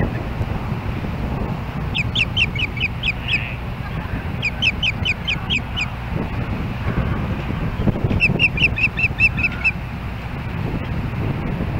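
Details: Ospreys at the Hellgate Canyon nest in Missoula, Montana, calling on July 4, 2016, as another osprey approaches the nest: three bursts of rapid, high, sharp chirps, each a string of six to eight notes, over a steady low rumble of wind.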